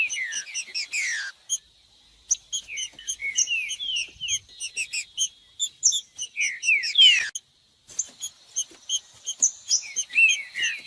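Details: Green-winged saltator song used to warm up a cold captive bird for tournament singing: clusters of fast chips and steep descending whistled slurs, interrupted by two short silences.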